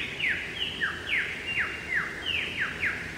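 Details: A male superb lyrebird, heard but not seen in Sherbrooke Forest, gives what is described as his mating call: a quick run of sharp, steeply down-slurred whistles, about eight in three seconds, over a soft forest hush.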